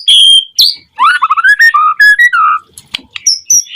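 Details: Song of a white-rumped shama, meant to trigger singing in other shamas: a high whistle opens, then a rapid run of lower, slurred warbling notes stepping up and down, ending in sharp high chips.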